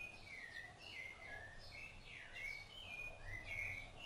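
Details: A rufous-bellied thrush feeding its nestlings sings a steady run of rich, fluty whistled phrases, each sliding up or down, over a low background rumble.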